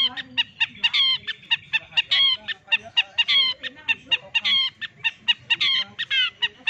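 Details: Young long-tailed shrike, six months old, mimicking poultry: harsh, nasal, clucking notes delivered rapidly at about three per second, rough and rasping, continuing steadily without pause through the whole stretch.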